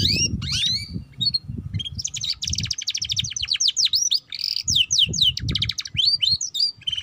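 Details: Juvenile canary learning song, played to coax young birds into chattering: fast rolling trills, downward-sweeping whistles and buzzy repeated notes, with some low background rumble at times.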